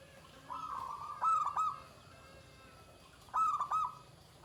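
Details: Zebra dove song in the Pendowo Mijil style: a long level coo followed by stuttering, loud clipped notes, repeated twice within a few seconds over soft background noise.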